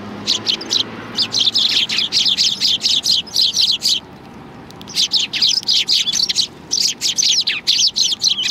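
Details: Hungry sparrows flocking in to be fed at a Tenmangu shrine on 16 January 2020 keep up busy, overlapping chirps in two long bouts separated by about a second of near silence.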